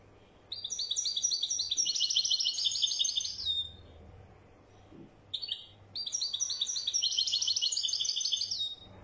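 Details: Wedani European goldfinch song: fast, bright twittering bursts of chattering high notes. Two sustained phrases of about three seconds each are broken by a brief gap, over a soft steady low background hum.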